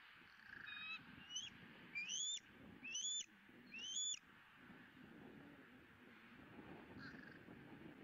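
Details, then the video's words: Bald eagle eaglet on a Southwest Florida nest camera, 20 April 2017, squealing with joy at its second fish of the day: four high, thin rising squeals about a second apart, each ending in an upward flick, over steady low background hiss. "E9 is Squealing"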